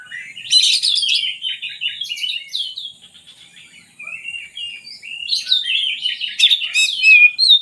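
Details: Magpie-robin singing continuously to encourage lazy birds: buzzy, scratchy bursts and quick warbled phrases, a softer quiet stretch in the middle, then a renewed rush of loud varied notes.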